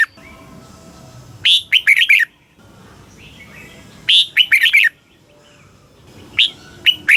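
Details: Thai red-whiskered bulbul song used to rouse caged birds: a rising opening note then rapid bubbly whistled notes, phrases recurring roughly every two and a half seconds, with low faint background noise between them.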